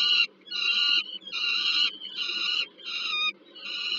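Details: Food delivery between Peregrine falcons at the Żerań heat plant, Warsaw, Poland, August 2022. Five or six coarse, drawn-out wails, each about half a second, separated by brief gaps. A faint background hum is present.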